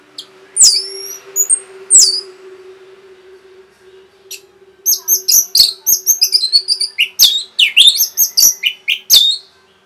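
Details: Orange-headed thrush singing fast to rouse other birds: a few slurred, high whistles over a steady low hum, then a long, tumbling stream of sharp chirps and twittering notes.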